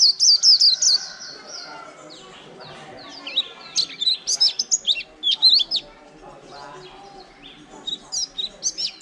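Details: Líu-style song from a white-eye, caught wild and caged for more than a month. Fast high chirps give way to jumbled twittering and then quick, sharp notes in uneven bursts.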